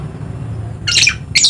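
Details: Two loud, grating screeches from a dusky lory, endemic to the island of Papua in eastern Indonesia, the first drawn out and harsh, the second starting abruptly at the end.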